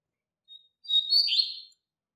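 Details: Double-collared seedeater singing a strong teaching song meant for young birds to learn: a faint high whistle, a brief gap, then an energetic, scratchy, twittering burst of under a second that slides downward and trails off. Quiet background.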